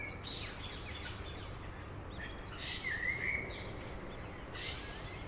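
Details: A Eurasian Coot family with seven chicks at Beverwijk, the Netherlands, gives faint high ticks and short peeps throughout, with one clearer sliding whistle midway, all against constant low outdoor rumble.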